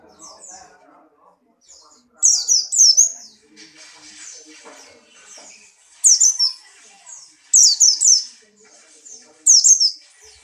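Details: White-eye of the Buxtoni type, in strong breeding condition and hopping, sings short bursts of high, thin, falling chirps. Clusters come every one to two seconds, with soft background chatter in the gaps.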